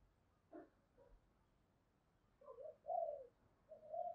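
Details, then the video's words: Decoy spotted dove giving thúc, gù and gáy gọi style calls: faint low notes early, then a run of soft, low coos rising slightly in strength over a steady background hiss. "Chim Cu Mồi với giọng gáy đủ bài như : Thúc + Gù + gáy Gọi"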